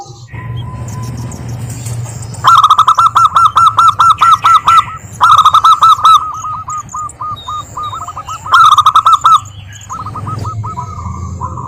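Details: Local Indonesian zebra dove singing, used as a lure to make quiet doves answer and sing; bursts of rapid, evenly spaced ringing coo notes in three runs, with softer repeated notes between and a low steady hum beneath.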